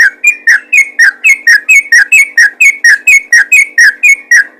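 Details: Rapid, chattering yellow-vented bulbul song meant to prompt other bulbuls to sing, with short slurred whistles repeated steadily about twice a second, each a high note sliding into a lower one, over a low hum.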